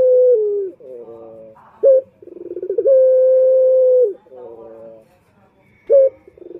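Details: Male puter turtle dove calls, used to draw in other males: long even coos alternating with lower wavering purrs and brief clipped notes, in a quiet setting.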